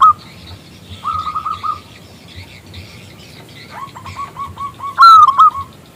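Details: Local zebra dove with a big, crystal-clear voice, calling a male. Short bursts of quick bubbling coos are separated by quiet gaps. Two bright, loud ringing phrases close the sequence.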